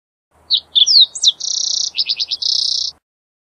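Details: Green-tailed towhee singing a rich phrase: a few sharp slurred whistles sweeping downward, then a steady buzzy trill, a quick run of stuttered notes and a final buzzy trill, all high-pitched against a quiet background.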